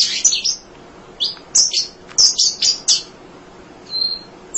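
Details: Munia, a singer for tutoring songbirds: irregular high, scratchy chirps and short buzzy phrases, ending with a thin whistle.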